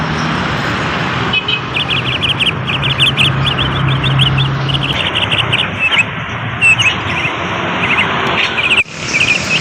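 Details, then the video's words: Bali myna song of bright, clipped chirps grouped in fast bursts and repeated throughout, heard over constant loud hiss and a low engine-like hum. "burung jalak bali"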